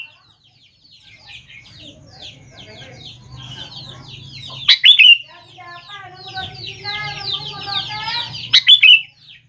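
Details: Sooty-headed bulbul song played to make young bulbuls reply. Two loud bright phrases come about four seconds apart over continuous rapid twittering and a low background hum.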